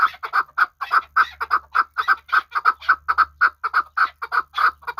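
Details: Chukar partridge from Kabodiyon kept as a hunting bird, giving a steady run of loud, clipped chuk notes, roughly two per second, each sharp and mid-pitched, with a faint low hum underneath.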